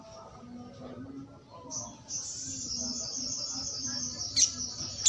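A little spiderhunter gives a long, fast, high-pitched trill that runs on for several seconds, with a faint low hum and soft background noise.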